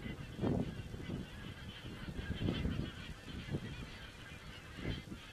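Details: On a crane webcam in Estonia, 27 September 2017, geese keep up a continuous high chatter of overlapping calls, broken by several deeper gusty bursts of noise.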